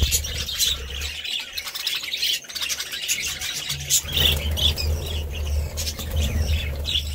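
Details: Dense budgerigar chatter of high chirps and grating warbles, growing busier in the second half, with a steady low hum beneath.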